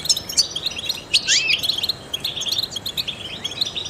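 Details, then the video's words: Trained European goldfinch singing to spur other songbirds: fast, crackling high chirps with a prominent buzzy note swooping down and back up, followed by a steady run of tinkling twitters. "in the wild goldfinches chirp to stimulate songbirds"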